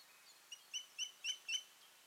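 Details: Osprey pair at the nest in Finland in June, the female having earlier incubated alone after her mate vanished; four short, high whistled chirps rising in loudness, spaced about a quarter second apart, over faint background hiss.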